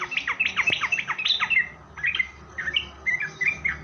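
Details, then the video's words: Chattering yellow-vented bulbul lure song for drawing replies from other bulbuls: a dense run of quick, bubbly, slurred notes, followed by looser short phrases, with a faint click near the start. "suara Trucukan gacor gaja Pikat ini Rajanya bikin nyaut trucuk"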